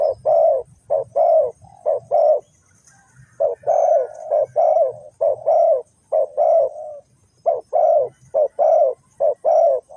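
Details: Spotted dove, a decoy bird whose calls are used to trap wild doves in Ninh Thuận, Vietnam, gives steady phrases of short, throaty coos in pairs and triplets, with brief gaps between phrases.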